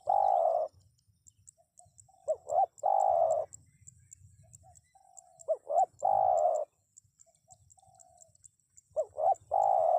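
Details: Spotted dove repeating its call about every three seconds. Each phrase has two short curved notes leading into a long, even, purring coo, with faint low rumbling and high ticks between phrases.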